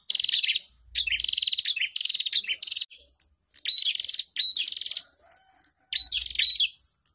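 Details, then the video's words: Prinias singing together in ombyokan fashion, played to encourage untrained caged prinias: bursts of fast buzzy chattering trills, some opening with a clear high whistle, separated by short gaps. "Pancingan Burung Prenjak Bahan ( Ombyokan )"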